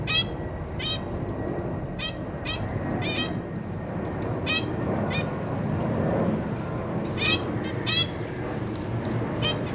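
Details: Caged zebra finch family, with parents feeding new hatchlings and three juveniles nearby, March 2023: short harmonic nasal calls repeated irregularly, sometimes in quick pairs, over a steady rumbling background noise.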